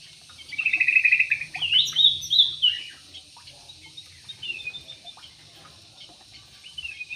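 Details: In an aviary, a Yellow-vented bulbul delivers a rich gurgling, warbled phrase of over two seconds with rising and falling notes, followed by softer scattered notes.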